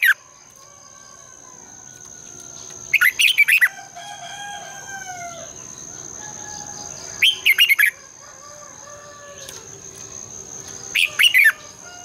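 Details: Morning song of a red-whiskered bulbul in the long twisted double-voice style, sung to provoke rivals: three bursts of rapid, ringing whistled notes about four seconds apart, with faint distant drawn-out bird calls and a steady high whine between.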